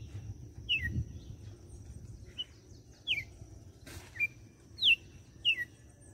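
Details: Red-cowled cardinal, a captive bird from Fortaleza, Ceará, Brazil, giving "açoite"-style song: six short, clear whistled notes, most sliding downward, delivered irregularly about once a second, with a brief click and low background hum.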